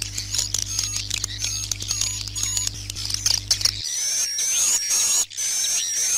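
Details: Swiftlets chirp and twitter in high, thin, rapid bursts over a steady electrical hum that stops partway through, in a night-time lull recording made for indoor use in a swiftlet house.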